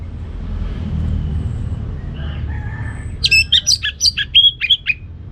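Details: Orange-headed thrush delivering loud ngeplong gacor song: a fast series of sharp, high chirping and whistled notes, roughly a dozen in quick succession, following a quieter stretch of soft background noise.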